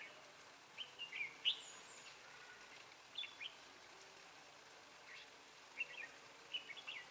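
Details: Decoy red-whiskered bulbul in a trapping session dated 12 February 2017, singing to draw in wild bulbuls; brief sharp whistled phrases with a rising note, spaced irregularly a second or two apart, against quiet outdoor noise.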